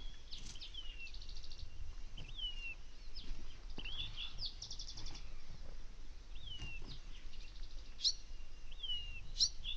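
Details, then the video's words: Say's phoebe singing on a desert morning, with Bewick's wren and spotted towhee in the background. Short, clear down-slurred whistles come every second or two, mixed with fainter buzzy trills from other birds over a low steady hiss. "Says Phoebe"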